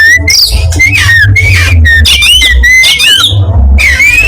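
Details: Oriental magpie-robin of the black-breasted East Java form, a local bird of East Java, singing loud clear whistled phrases that slur upward and downward in quick succession, over a steady low hum throughout.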